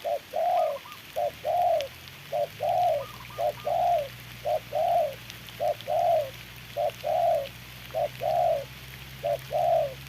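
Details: Decoy spotted dove in a trap, fighting a wild bird during rain, gives paired coos (brief note then longer drawn-out coo) repeated steadily about ten times. A fainter, higher-pitched coo from another dove sounds twice, over a low steady hum.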